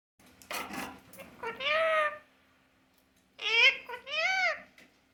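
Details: Pet green parrot talking indoors: two short bursts of harmonic, voice-like babble with arching, wavering tones, separated by a second of quiet, with a faint steady hum behind.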